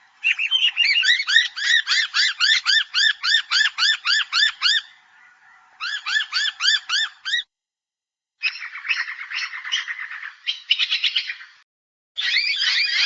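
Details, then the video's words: Noisy miner (Manorina melanocephala), a social, aggressive native Australian honeyeater, gives loud, sharp, repeated notes, about four a second, in long runs, then harsher, buzzy scolding bursts. "Noisy Miner - Bird calls"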